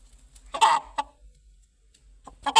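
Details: A chicken gives one loud harsh squawk, then a single short cluck, a quiet pause, and two more clucks at the end.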